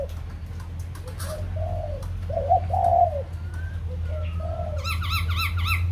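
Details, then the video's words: Kbang, Vietnam: white-crested laughingthrush warbling in low throaty bursts, a thin level whistle in the middle, and a fast run of repeated bright chattering notes at the end over constant low hum. "Khướu Đầu Bạc / Kbang / Bông Lau /Chim Bồ Chao /Hót Đỉnh Cao"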